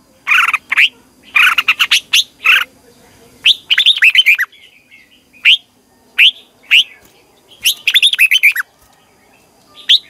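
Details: Morning training song of a red-whiskered bulbul used to spur competition singing, with repeated volleys of sharp, rapid warbled notes, clustered phrases of four to six syllables and short silences between them.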